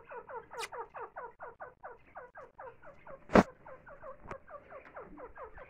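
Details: A grey francolin feeding its chicks gives soft, quick downslurred clucking notes, about four a second, in a steady stream, with two sharp knocks partway through.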